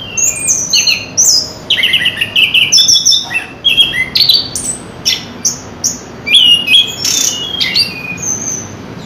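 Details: Chestnut-capped thrush delivering a long continuous song of varied high whistles, trills and slurred notes, phrases tumbling one after another with brief pauses.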